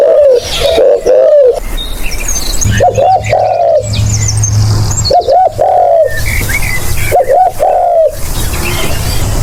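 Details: Spotted dove cooing for a lure: four phrases, each of short hooked coos leading into a longer falling note, spaced a couple of seconds apart, with a low engine-like hum and scattered bird chirps.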